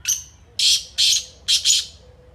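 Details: Harsh, rasping call of a black francolin (kala teetar): a short high note, then a rhythm of scratchy bursts, two separate and two run together, in a quiet setting.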